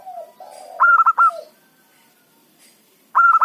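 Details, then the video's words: Local zebra dove calling as a lure for catching wild doves: a faint falling coo leads into two loud bursts of rapid clipped notes, a pause, then another loud burst begins. "perkutut lokal gacor pancingan ampuh suara keras kecil cocok untuk pikat lawan"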